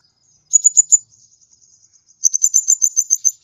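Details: High, thin sunbird phrases from a kolibri ninja: a quick burst of four chirps, faint soft ticks, then a longer rapid run of sharp high notes.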